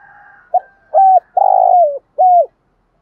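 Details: Decoy spotted dove cooing to lure wild rivals into answering. One phrase: a short soft note, a clear low coo, a long rolling purred coo that falls at the end, then a final clear coo. A faint hum sits underneath at the start.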